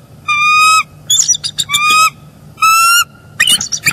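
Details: Nesting bald eagles trading calls at early-morning changeover, male arriving to relieve the incubating female, January 2022 in northeast Florida: drawn-out level piping notes interleaved with rapid, clattering chittered bursts.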